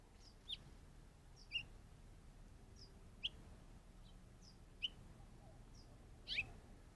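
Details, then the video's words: Curve-billed Thrasher calling out of view of a trail camera: five crisp, high chirps with quick downward slurs, spaced roughly a second apart over faint background hum. "Sounds like a Curve-billed Thrasher chirping off screen."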